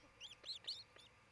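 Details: Osprey at a Charlo, Montana nest watched by camera on 27 June 2018; three quick arched, whistled chirps and a fainter fourth, each sliding up then down, within just over a second.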